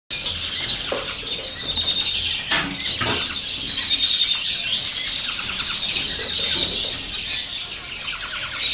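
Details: Common chaffinch chick begging while being fed by the female: dense, high-pitched chirps and twittering run continuously, with thin whistled notes and sharp squeaky bursts layered throughout.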